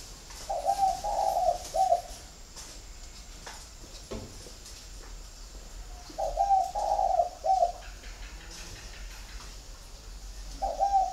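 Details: Spotted doves from a bird-keeping garden in Ba Vì, Hanoi, Vietnam, repeating a mellow three-syllable coo about every five seconds, three phrases in all, over low background hum and light knocking.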